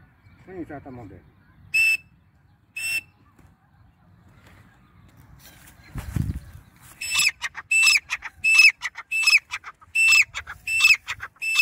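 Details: Grey francolin, in a nonstop calling sequence: a few isolated harsh notes early, then a run of loud, regular shrill calls repeated roughly every second, with faint low rumble between.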